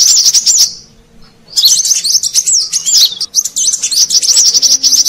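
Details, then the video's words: Luring call of a brown-throated sunbird, meant to draw in wild birds: a half-second of shrill twitter, a pause near one second, then a long busy run of high, quick slurred chirps. "Suara Pikat Burung Kolibri Kelapa Manggar"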